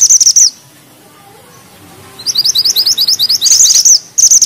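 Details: Bushchat called mantenan gunung, singing with a tight 'ngeroll' roll: a loud high trill, a pause, then a long run of rapid repeated rising notes merging into dense, shimmering high trills.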